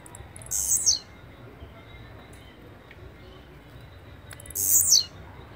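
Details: Blue-black grassquit repeating its song twice, about four seconds apart. Each phrase is a short, high, buzzy burst that slides sharply down at the end. The background is quiet.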